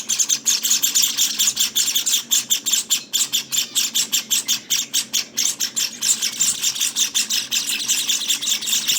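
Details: Day-18 Java sparrow nestlings beg with dense, high, scratchy chirping in quick pulses, a brief dip in intensity midway before the rapid calling resumes.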